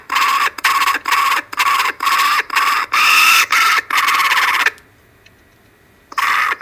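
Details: Kookaburras on a webcam in Australia at 5:55pm on a Monday, 12/10/12, one grabbing food at the start, give a loud, harsh, cackling call of rapid repeated notes, about two per second, which pauses briefly before starting again.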